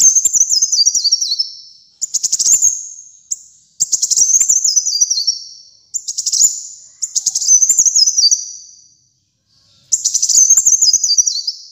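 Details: Sunbird kept as a songbird and used as a tutor and lure for other birds, singing very high, thin, rapid twittering phrases that slide downward in stepped trills, each lasting one to two seconds, separated by short gaps.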